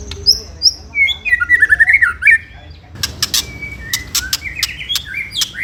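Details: White-rumped shama song for provoking rivals: high whistles, a quick warbled run of notes, then dry clicks and short upslurred whistles.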